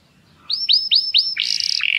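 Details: Canary song played to train and stimulate other canaries for mating: four bright, clear downslurred whistles in quick succession, then a loud buzzy rolling trill that ends on a sharp high note.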